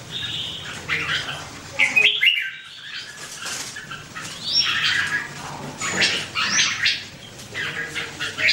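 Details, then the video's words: Red-whiskered bulbul song, a run of loud chirpy, warbling phrases in quick bursts with short gaps, some notes sliding upward, against a faint low hum. "The Sound Of The Birds Singing Wonderful: Birds Red-whiskered bulbul"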